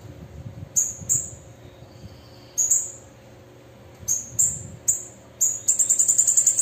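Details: Female bananaquit: spaced high, thin chips that quicken into a rapid, evenly pulsed very high trill at the end.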